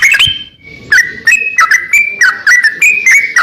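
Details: Greater green leafbird singing energetically, used as a tutor recording for training songbirds: loud, clear whistled notes and slurred phrases near the upper-middle range, delivered in quick bursts roughly every third of a second, with sharp high clicks between phrases.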